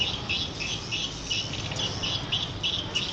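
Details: Twittering of edible-nest swiftlets kept for nest farming: quick, slightly buzzy high chirps repeated about three times a second in an even pattern, with a faint low hum beneath.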